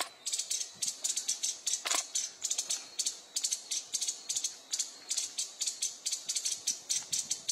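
Streak-breasted scimitar babbler giving dry, high, scratchy chatter notes, about five or six a second in uneven bursts, with no other clear sounds.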